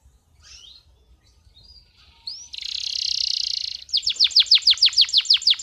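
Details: Excited male canary singing to tutor young birds and stimulate hens: a soft thin whistle, then a sustained loud buzzy rattle, then a rapid series of sharp downward-sweeping chips, about three per second.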